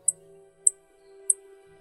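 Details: Chipping Sparrow, Ontario, Canada, giving three short, very high, faint chips about every 0.6 seconds (the call that gives the species its name), over soft background music.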